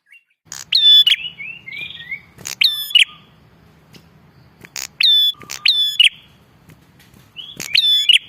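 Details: Bar-winged prinia calling vigorously, used to lure prinias: loud, ringing, buzzy double notes in clusters about every two seconds, with softer descending chirps between them and a faint low hum behind.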